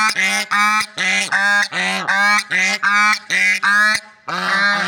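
Swans give a run of nasal, brassy honks, about eight in five seconds, each short and evenly pitched with a brief gap between.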